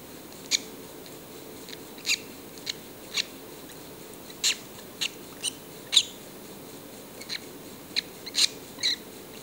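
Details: Little yellow-collared lovebirds, hungry for kisses; brief, sharp high chirps, singly or in pairs, roughly every half second to second across the clip, over a quiet indoor background.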